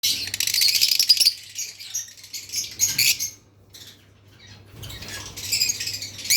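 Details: Lovebirds chirping in dense, high-pitched bursts of rapid scratchy twitters, loudest in the first second and again near the end, with a quiet lull in the middle and a faint low hum underneath.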